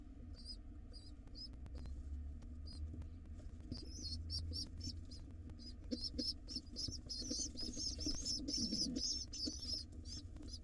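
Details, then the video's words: Hungry wild pigeon nestlings being fed by their father at a nest box, their thin high squeaks starting sparse and growing into a rapid, insistent stream of peeps, with a constant low hum underneath. "Crazy hungry and cute pigeon nestlings get fed by their Dad."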